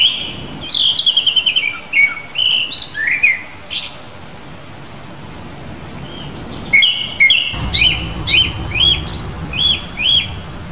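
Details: Japanese thrush, a species breeding in Japan and eastern China, giving clear high whistled phrases: a rapid trilled series, then slurred notes and a run of repeated rising whistles about twice a second, with faint background noise.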